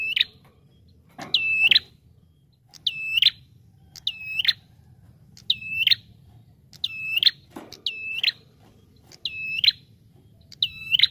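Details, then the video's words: Lure (pikat) recording of a bar-winged prinia, its high flat whistle with a clipped upward flick at the end repeated about eight times at an even pace, with two short scraping noises in between. "SUARA PIKAT Burung Prenjak Tamu Gacor D0orrr"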